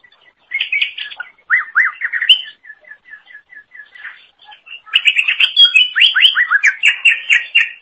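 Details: Energetic greater green leafbird (cucak ijo) song meant as a tutor for songbirds: warbled phrases, a steady run of soft repeated chip notes, then a long, dense, loud sequence of rapid whistled syllables.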